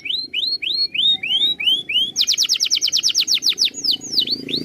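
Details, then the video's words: Master song of a canary for tutoring birds: a slow series of rising whistled notes, then a fast, dense trill of sharp downswept notes and a few looping calls, over a faint low rumble. "MASTERAN KENARI SANGAT BAGUS UNTUK BURUNG ANDA."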